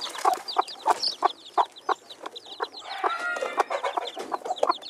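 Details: Silver Phoenix hen accompanied by chicks, 3/5/2013: steady low clucking roughly three times a second under a dense chorus of shrill curved chick peeps, with a brief harsher rasp midway.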